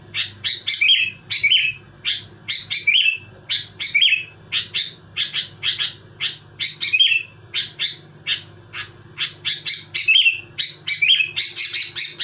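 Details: Sooty-headed bulbul delivering tight, nonstop song to provoke other bulbuls: a rapid steady stream of bright chirps, about two per second, with occasional whistled slurs over a low hum.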